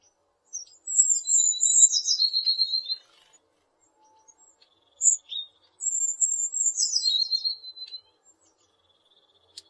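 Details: Eurasian blue tit singing two similar high phrases, each a thin opening note dropping into a rapid, buzzy trill, separated by short sharp chips; otherwise quiet surroundings.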